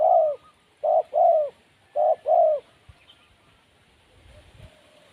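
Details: Wild spotted dove cooing: low, soft hooting notes in two pairs, a short coo then a longer swelling one, about a second apart, followed by quiet rural background.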